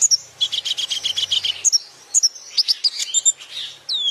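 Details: Training-track song of a sunbird: a quick buzzy run of repeated notes for over a second, then scattered sharp high chirps and thin descending whistles.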